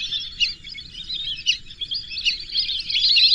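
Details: Whistling ducks in chorus, thin whistled chirps blending into a busy stream that grows louder toward the end, over a soft low hum.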